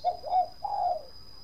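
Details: Brief burst from a Bangkok zebra dove in 'kong' singing style: three short, soft, warbling coos in quick succession, with a faint continuous high whine.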